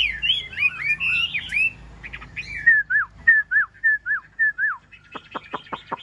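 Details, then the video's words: A newly arrived, not yet confident, yellow-billed Chinese hwamei sings in rain on a morning, plumage still wet: a rich run of varied whistles, then clear down-slurred notes about three per second, ending in sharp rising chips. "Họa mi mỏ vàng"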